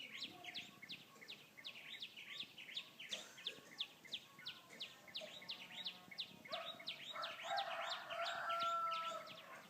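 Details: Bird song: a long run of quick, sharp, downslurred notes repeated about three times a second. Near the end a warbling phrase joins in, against a noisy hiss.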